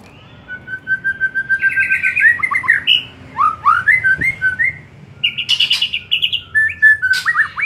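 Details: White-rumped shama singing in the afternoon, a lure for caged birds: a sustained steady whistle, then rich varied warbled phrases with rising and falling slurs, a brief buzzy burst, and more bright whistled notes.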